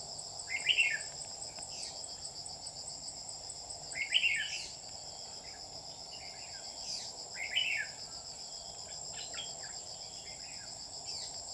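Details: Red-whiskered bulbul kept as a lure bird for trapping, 27 July 2019, singing short warbled phrases about every three to four seconds over a loud, steady insect drone.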